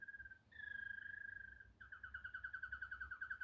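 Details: Waterslager Malinois canary singing the klokkende tour: a low clear whistled note, a long steady tone, then a rapid run of bubbling, evenly pulsed notes at the same pitch. Faint low room hum underneath.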